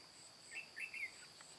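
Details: Red-whiskered bulbul, white-cheeked, 'ché cười' fighting song used as a trapping lure, 22 June 2018: one quick warbling phrase of three slurred notes, rising then falling, over a constant high-pitched insect hum.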